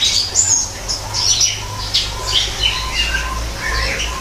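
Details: A greater green leafbird in an aviary built as an artificial forest sings a rapid, varied run of squeaky chirps, whistles and short chattering phrases over a steady low mechanical hum.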